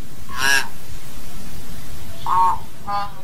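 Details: Hill myna calling to gather its flock, giving three separate nasal, honking notes spaced over about three seconds against quiet background hiss.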